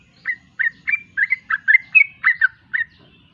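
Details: Sweet, chortling phrase from a sooty-headed bulbul: around ten liquid, rising and falling whistles delivered at a steady quick pace over a quiet low murmur.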